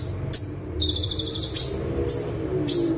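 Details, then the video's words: Olive-backed sunbird in 'tembakan' song for tutoring: a single high chip, a fast rattling buzzy trill of pulsed notes, then several sharp, piercing, separate chips. "Konin Tembakan Super Mewah - Konin Gacor Full Tembakan - Masteran Konin Gacor"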